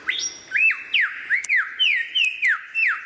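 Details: Lyrebird singing a varied song, here a series of loud, clear whistled notes, each sliding sharply downward, repeated roughly every half second with short gaps between them.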